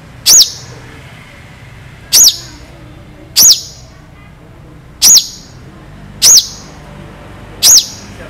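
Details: Long-tailed shrike singing sharp, clear tembakan shots for bird tutoring: six piercing arched high notes, each rising then falling quickly, spaced about one to two seconds apart over a quiet background.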